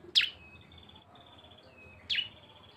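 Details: Lure recording of cisem combining two birds: two loud, sharp, high downward chirps about two seconds apart, each trailing into a faint level whistled trill.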